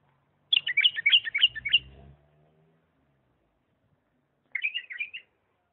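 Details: In 'lisanat' style, a Diyala bulbul sings a rapid run of bright, bubbling notes, then a shorter softer phrase four seconds later, with a low hum briefly underneath.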